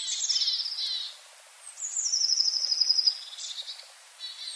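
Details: Long-tailed tit in a yard at Joroinen, Finland: very high, thin rolling trills, each sliding slightly down and lasting about a second, with a quiet pause between the two trills.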